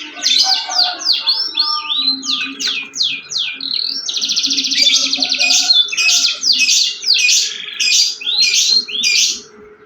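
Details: Loud, dense canary song of rapid steep down-sweeping notes packed closely together, a long rolling trill in the middle, then more fast sweeping phrases; a faint low hum runs beneath.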